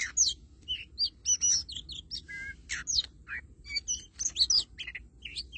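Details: A caged oriental magpie-robin kept as a lure bird pours out a rich, continuous medley of sharp whistles, chirps, short down-slurs and buzzy notes, almost machine-like in its steady flow, over a soft background hum.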